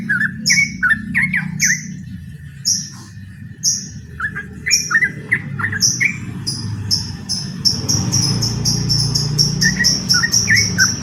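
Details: Trucukan, the yellow-vented bulbul, in ropel song inviting a rival to fight: bouncy warbled whistles at first, then a rapid string of high, thin notes from another bird, with a few bulbul notes near the end.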